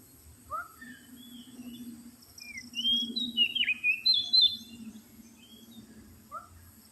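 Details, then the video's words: Magpie-robin lure call: a few downslurred whistles, then a loud run of varied sliding and warbling whistles, with a steady low hum and thin high buzz throughout. "suara pikat burung kacer paling AMPUH terbaru"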